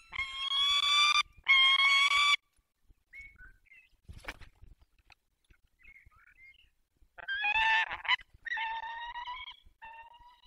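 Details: Peregrine falcons at a nest holding four eggs in the Barycz Valley, 20 March 2022 at 5:45: loud harsh, raspy drawn-out calls in bursts of about a second, with quieter scattered notes and low rumbling noise between.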